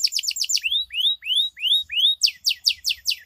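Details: A canary song lure to stir a canary that has stopped singing, with "cuit cuit" notes into a long roll: rapid chattering trills, then five clear rising whistles about a third of a second apart, then fast trills again.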